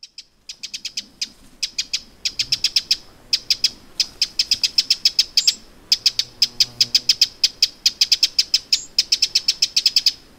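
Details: Eurasian wren alarm calling on the shore of Lake Vänern, Sweden, in late July 2017: dry, sharp ticks in rapid bursts and near-continuous runs, with short pauses between series and a quiet background.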